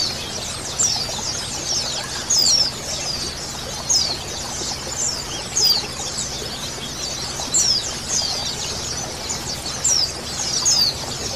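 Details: A mixed-sex white-eye colony, recorded as a therapy sound to prompt singing: continuous high-pitched twittering with sharp squeaky notes surging about every one to two seconds.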